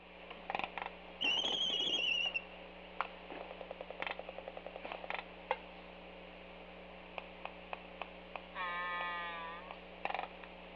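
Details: Laysan albatross at a nest on Kauai's North Shore, Hawaii: a thin whistled note sliding down, bursts of rapid bill clacks, then a drawn-out nasal groan over a low steady hum.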